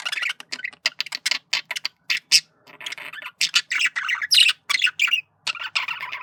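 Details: Male budgerigar flirting in a quick, chattering warble of clipped, grating notes repeated in rapid succession, with a few louder shrill accents.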